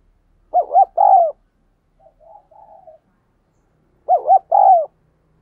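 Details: Spotted dove cooing in thúc gù style for training decoys and luring wild doves. Two loud phrases of paired hoots and a longer coo, roughly three and a half seconds apart, with quiet burbling notes between.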